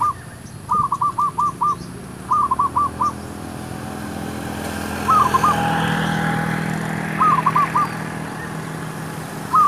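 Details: Zebra dove song used for luring wild doves to trap them: short bursts of soft, rapid staccato coos, repeated in clusters of three to five notes with pauses. Steady engine drone runs underneath.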